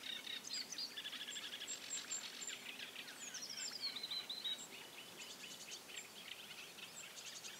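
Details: Several bearded tit fledglings of 2017 chatter constantly, giving quick high pings, a sweeping downward slur and dense stuttering trills toward the end, over soft outdoor background noise.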